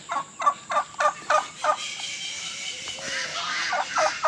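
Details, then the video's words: Turkey gobbling: a rapid run of about six loud, regular pulsed notes in the first two seconds, then a rougher, noisier stretch with further calls toward the end. "Turkey making noises"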